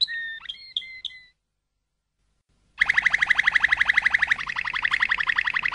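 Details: Waterslager canary song opening with a few clean whistled double-tone notes, then after a silence a loud fast rolling trill of rapid pulses that steadies into a continuous bubbling roll.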